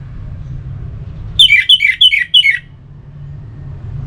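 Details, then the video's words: Orange-headed thrush sound used to stimulate caged birds into singing; a short burst of four loud, high, descending double notes, evenly spaced about every third of a second, then quiet low background hum. "Suara Ini Bisa Membangkitkan Burung ANIS MERAH agar Jadi Gacor"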